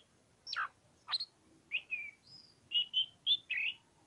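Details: Oriental magpie-robin in ngobra song: two steep descending whistles, then a rising slur and a string of short, pure whistled notes.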